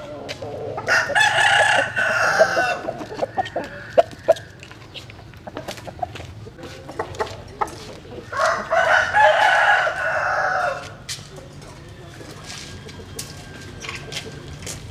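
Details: At dawn, with chickens out in the morning sun, a rooster gives two long, strained crows several seconds apart, surrounded by frequent sharp clicks and clucks and a quiet steady background.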